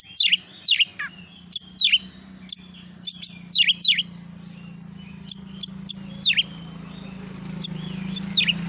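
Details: Oriental magpie-robin song recorded as a lure to make other birds reply. Sharp, high, downward-sweeping notes are spaced irregularly over a steady low hum.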